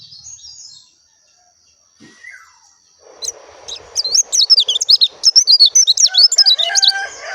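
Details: Oriental white-eye of the dakun type bursting after a quiet start into a loud, rapid, high twittering warble of tumbling notes. A few lower harmonic notes mix in toward the end.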